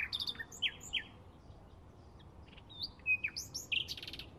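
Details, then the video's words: Bluethroat in May 2016 giving a jerky series of upslurred and downslurred whistles, several separate notes, a short level whistle, then a few high rising squeaks and a brief buzzy burst. "Ruiseñor Pechiazul - Bluethroat"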